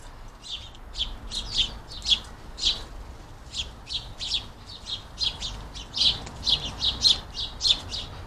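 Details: A crowd of house sparrows feeding at a busy garden feeder: sharp, high chirps and cheeps, overlapping and repeating in quick irregular bursts, almost two per second, against faint low background rumble.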